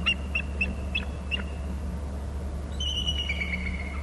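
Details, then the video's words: Bald eagles at their Hornby Island nest, calling and alerting as the male leaves and comes back; a quick run of sharp, high chips, a pause, then a longer thin whistle over a low mechanical hum. "hearing both calling and alerting"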